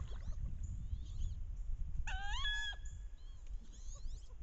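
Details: Wood duck hen on a bayou in late October during the mating ritual, giving loud vocalizations while chasing and posturing to entice drakes: a thin, rising whistled squeal under a second, fainter squeaky calls around it, over low wind rumble.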